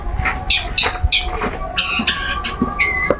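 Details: A kept long-tailed shrike sings freely while being sunned, giving harsh, buzzy, rasping notes in short bursts over a steady low hum.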